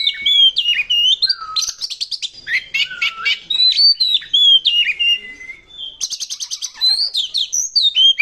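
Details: Oriental magpie-robin (kacer) in full loud song, used as a lure to make other birds sing: varied whistled phrases sliding between notes, mixed with rapid buzzy trills and harsh rattling bursts, delivered continuously.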